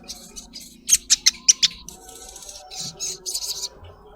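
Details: Female collared kingfisher calling to the male: a burst of five loud, sharp, high notes in quick succession, then softer scratchy chirps, over faint background hum.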